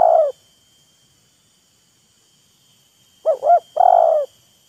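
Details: Spotted dove calling in a display duet between a decoy and a wild bird: one long rolling coo, a three-second pause, then a quick double hooked note followed by another long throaty coo. Quiet background.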